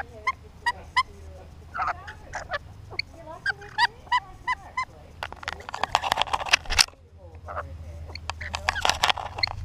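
Lorikeets give short, sharp chattering notes in quick succession, then burst into harsh, grating screeches; a low hum runs underneath.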